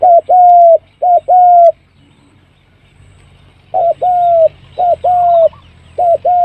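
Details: Lure recording of spotted dove calling: paired low hollow coos, each a short note then a longer sustained one, repeated in bursts about once a second with a pause of roughly two seconds midway.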